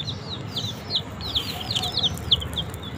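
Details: Desi chicks pecking at green leaves utter clear, high, descending peeping notes, a few overlapping, repeated rapidly over a soft low background rumble.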